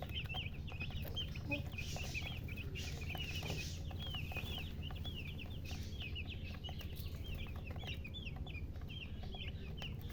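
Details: Baby chicks chirping nonstop: a dense chorus of short, high, whistled peeps, several a second, some arched or down-slurred, over a constant low rumble and scattered clicks and scuffs.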